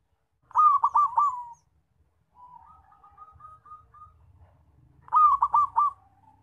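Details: Zebra dove calling loudly as a trapping lure: two rolling phrases of four pulsed, cooing notes, separated by a softer run of short, evenly spaced notes and a faint low hum.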